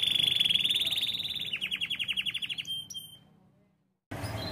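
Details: Canary song in ting-ting style, a high rapid rolled trill that shifts into slower sharp down-slurred pips before fading to silence, then a burst of broadband noise at the end.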